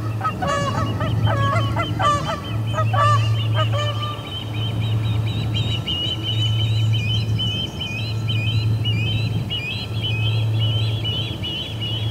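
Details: Ospreys chasing visiting ospreys off the Charlo P2 nest, midday, August 20, 2020. Loud harsh stacked calls open the clip for about two seconds, then a long even run of high chirps continues over a pulsing low hum.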